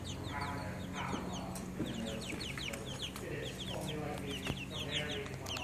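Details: Baby chickens (chicks) peeping continuously: many short, high, downward-slurred cheeps overlapping in a dense chorus, with a low steady background hum.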